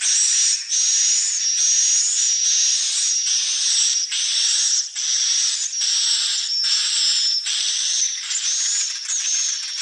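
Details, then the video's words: Swiftlets give rapid, shrill chirping, a steady high whistle-like tone broken into repeated pulses about once every 0.75 seconds, hissy and unbroken for the whole stretch. "SUARA BURUNG WALET"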